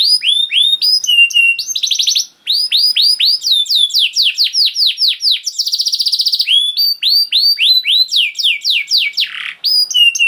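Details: Canary singing long, loud gacor song used as a lure to prompt other canaries to sing: rapid series of sweeping downslurred whistles, interrupted by a buzzy trilled roll and brief pauses, continuing unbroken for ten seconds.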